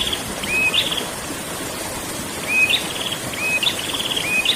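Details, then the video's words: Rolling 'ngerol' song of a prinia: rising whistled notes, each ending in a brief buzzy trill, given in a few separate bursts against a constant watery hiss. "burung prenjak ngerol"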